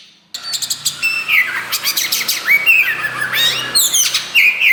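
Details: Caged Oriental magpie-robin (Kacer wulung) with loud voice, starting abruptly: rapid rhythmic clicks and rasps mixed with sweet slurred whistles, over a faint low hum in the background.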